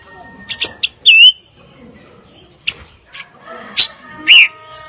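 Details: Fire-tailed myzornis singing: brief chips, then a few loud, clear whistled notes, each swooping down then levelling off. Long quiet gaps separate them, and faint sustained tones run underneath.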